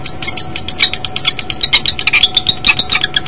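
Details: Common kestrel male at a nest, recorded by nest camera on 14 January 2012, calling for his mate; a rapid run of short, sharp, high notes repeated several times a second throughout.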